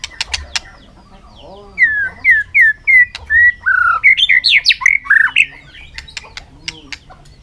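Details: Caged white-rumped shama singing in a contest in the afternoon sun: loud clear whistled notes repeated in a rising series, then rich varied warbling phrases, with sharp clicks and knocks around it in a small room.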